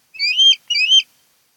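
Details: Osprey of a mated pair nesting on Kent Island, Maryland, recorded by nest camera on 10 August 2018: two clear, high, slurred whistles, each rising then ending with a brief buzzy flourish, given back to back.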